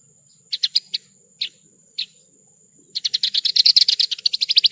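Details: Horsfield's bush lark song for training caged birds: a few spaced single chirps, then a dense run of rapid, even trilled notes that keeps going, with a faint steady high tone behind.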